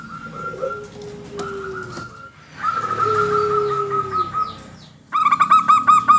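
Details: Local zebra dove in lively song, used as a lure so other doves answer: drawn-out level tones over a lower, falling note, then a loud burst of quick, bouncing, repeated cooing notes, with several birds overlapping.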